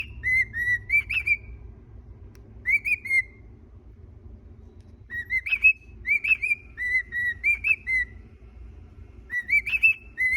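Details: A cockatiel sings from its little house, phrases of clear, wavering whistles around two kilohertz, pausing between bursts.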